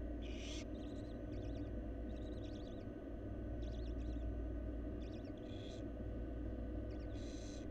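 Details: Nest box of wild barn owls in Florida after a fourth nestling hatched: faint rapid chittering notes scattered between several harsh breathy hissing bursts, all above a steady heavy low hum.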